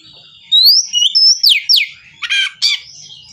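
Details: White-rumped shama in an aggressive mood, seeking an opponent: loud rising and falling whistled slurs followed by two harsh, buzzy rasping notes.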